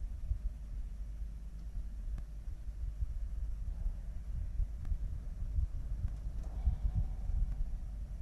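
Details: Low, gusty wind rumble with a few faint clicks; no animal voice.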